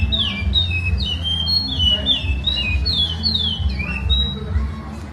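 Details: Lined seedeater delivering its traditional Maceió song, a sequence of bright descending whistles and short slurred notes linked in a flowing phrase, with a low rumbling hum underneath.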